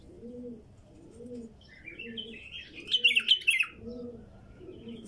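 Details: Wild female bulbul singing: a loud, quick burst of chattering, warbled notes high in pitch, rising and falling, over a steady background of low, repeated cooing from a dove.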